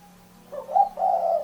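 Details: Spotted dove (derkuku) giving a single short phrase: a faint clipped note, then a burry coo and a longer wavering coo, over a steady low hum.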